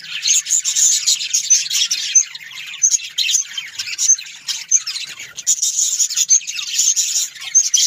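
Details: Australian parrots, budgies, keep up a lively, unbroken twittering. Chirps and warbles overlap, with occasional sharp clicks standing out.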